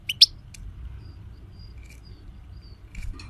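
European goldfinch giving a few sharp, high tinkling chirps and brief twittering notes, sparse and quick, over a low background rumble.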